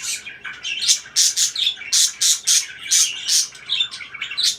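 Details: Parakeet chirping: bright, squawky chirps in quick bursts, each a dense smear of high notes, coming in a loose rhythm about twice a second with short gaps between.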